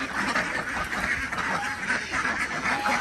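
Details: Desi ducks calling at a homemade village farm in Andhra Pradesh as eggs are gathered in the morning; many harsh, nasal quacks overlap in a steady, noisy chorus.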